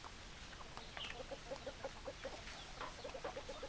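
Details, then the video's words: Hens clucking: two bursts of rapid, evenly spaced low clucks, about seven in the first run and six in the second, with brief higher squawks between them over constant farmyard background. "Chicken Sounds Noises Hens Clucking Roosters Crowing"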